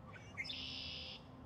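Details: A Red-winged Blackbird, an early migrant perched atop a tree at a city-area site in Canada, gives a few quick, clipped introductory notes, then a long, harsh buzzing trill lasting under a second, over a low steady hum.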